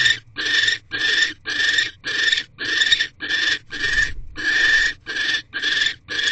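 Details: At an owl nest box on the evening of 19 January 2024, 6:04 pm, a male barn owl delivers food to his mate. Loud, rasping hisses repeat almost twice a second, each a broad noisy burst separated by brief silences.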